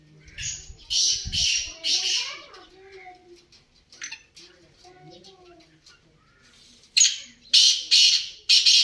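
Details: Black francolin (kala teetar) giving harsh, rasping notes in a quick series, then another series of loud grating bursts near the end, with softer low notes and a brief low thump in between.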